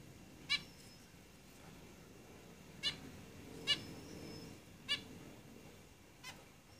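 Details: Zebra finches kept in a cage give five short, nasal, trumpet-like calls at uneven gaps of one to two seconds, the last one softer, against low room hiss.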